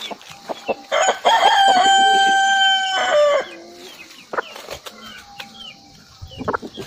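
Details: Rooster crowing: one loud, drawn-out, strained crow lasting about two seconds, ending in a falling note, with scattered clucks and knocks before and after.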